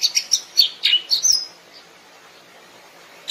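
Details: A wild Greater green leafbird gives a quick burst of bright, varied chirps and whistled slurs for about a second and a half, then quiet with one last note.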